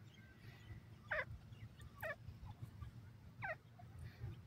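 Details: Grey francolin (sofad dakhni teetar) calling: three loud, sharp, harsh notes, each sweeping down briefly, spaced roughly one to one and a half seconds apart, over a steady low rumbling background.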